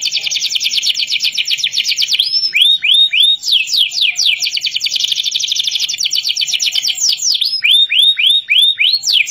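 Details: Canary youngster practising its song in captivity, kenari gacor style: dense rapid trills alternate with series of three or four falling swooping whistles, the rolling tours resuming between them at a steady fast pace.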